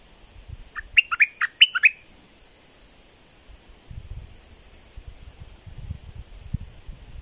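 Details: Decoy red-whiskered bulbul, keen during the nesting season while wild birds raise young, sings a brief phrase of about six quick rising-falling whistled notes, then quiet with low rustling and a steady high hum.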